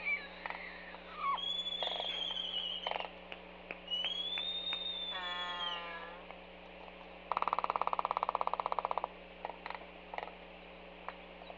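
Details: Laysan albatrosses, banded K747 and an unbanded adult, dancing at a nest site on Kauai's North Shore, give drawn-out whistled and moaning calls, then a second of rapid wooden bill-clattering, over a steady low hum.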